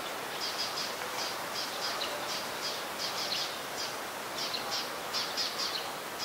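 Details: Eurasian tree sparrow, a very common resident, recorded at Ubon Ratchathani, Thailand, on 22 November 2019; short high chirps come in loose clusters throughout, with quieter chirping between, over a steady background hiss.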